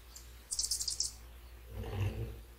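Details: Hummingbirds at a morning feeder around sunrise: a quick cluster of very high, squeaky chirps lasting about half a second, followed by a low, soft rumbling sound and a steady background hum.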